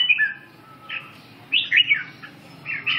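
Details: Red-whiskered bulbul singing after waking up: short bright whistled phrases, some rising and some falling, come in three separate bursts with quiet gaps between them.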